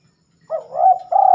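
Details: Night-time song of a spotted dove (terkukur), seldom heard after dark. After brief silence comes a single drawn-out, low mellow coo that wavers and then swells into a steady, slightly rough final note.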